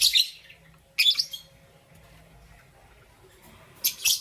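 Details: Lovebirds, Parblue Euwing Green Opaline and Green Opaline, in the morning: three loud, harsh, high-pitched chirp bursts, each a rapid cluster of sharp notes, spaced about a second and three seconds apart, with a quiet low hum between.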